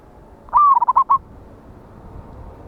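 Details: Wild local zebra dove with a big voice, recorded 11/8/24 for luring birds to a trap: one brief phrase of a long coo plus a short rattle of clipped notes, then quiet.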